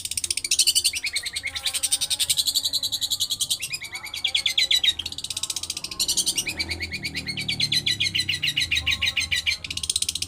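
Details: Long-tailed shrike (pentet) rolling lovebird-like song: dense, very high, rapid trilled chattering pouring out almost without break, with short gaps and shifts in pitch.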